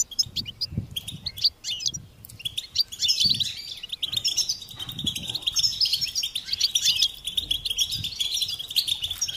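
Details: Twittering European goldfinch song, starting with clipped chirps and flowing into dense high trilling, with soft low knocks recurring in the background.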